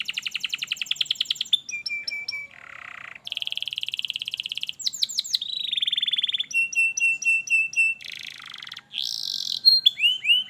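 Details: Canary song played to help a lazy canary begin singing: a long medley of fast chip trills, low buzzy rolls, a steady high trill, rapid sweeps and clipped repeated notes, each tour changing abruptly.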